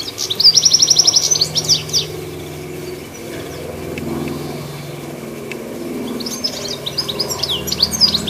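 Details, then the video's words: Treetop goldfinch with a fast, sparkling twittered phrase at the start, several quiet seconds, then another burst of high chirping notes near the end, with a soft low rumble throughout. "Chirpy Goldfinch On The Tree Top"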